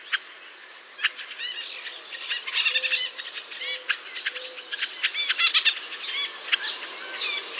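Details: White-breasted nuthatch in a North American forest: rapid nasal, harmonic-rich notes repeated several times per second amid a dense chorus of other birds, with soft low hooting whistles in the background.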